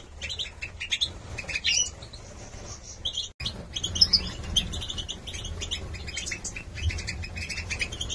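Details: Young 2022 Major goldfinch cocks from Gladbeck sing lively bursts of tinkling chirps and nasal buzzes, broken by a short silence after three seconds before the twittering resumes over a low hum.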